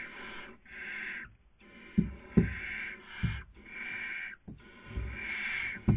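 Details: Barn owl filmed by a nest webcam, Cabañeros National Park, Spain, 2020 breeding season; loud rasping hisses in long repeated bursts, interrupted by dull knocks and thumps from movement in the nest box.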